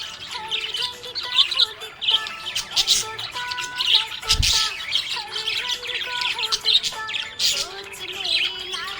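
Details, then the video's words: Budgerigar described as happy, giving rapid high chirps and scratchy warbling notes with one harsher squawk-like burst near the middle; music plays underneath throughout. "Happy budgie chirping sound"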